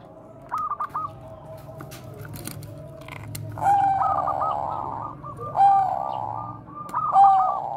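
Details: Lure song of a Bangkok zebra dove in bekur koar-koar style, used to train other doves; after faint clipped notes, three loud phrases of a sharp whistle and rolling coos follow each other about every 1.7 seconds, with background murmur.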